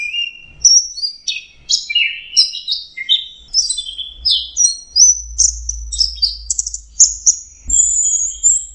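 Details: Varied sweet song of an orange-headed thrush (Geokichla citrina). Short whistled and chirped phrases tumble quickly one after another, rising toward long, high, thin whistles at the end, over a faint low hum.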